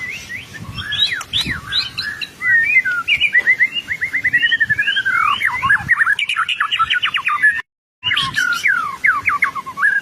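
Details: Gacor white-rumped shama used as a master song for training, delivering a long, rich, continuous run of rapid trills, whistles and sweeping slurs with a brief cut near the end.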